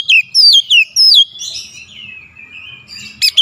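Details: Oriental magpie-robin singing persistently, showing off its repertoire: loud clear whistled notes sliding downward in quick bursts, then a softer thin wavering warble and a final sharp burst.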